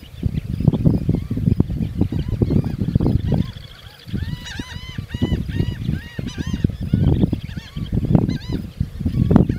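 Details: Geese giving scattered short, nasal honks in bursts, partly masked by heavy low rumbling noise throughout.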